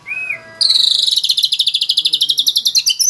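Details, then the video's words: White-rumped shama singing energetically with rich mimicked fill-in phrases and full rapid-fire bursts: a short whistled note, then a fast, bright run of about twenty sharp repeated notes in under three seconds. "MURAI BATU ISIAN MEWAH FULL TEMBAKAN"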